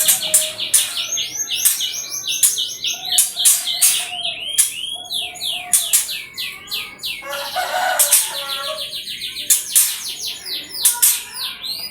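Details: Canary song played as a lure to get other canaries singing: a dense, fast stream of high chirps, trills and sweeping whistled notes running continuously, with brief low flat tones mixed in.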